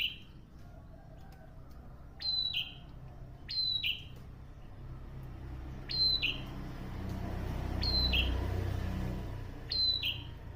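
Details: Lively prinia song of crisp, high, sharply descending chirps repeated at uneven intervals. A low rumbling background swells toward the end.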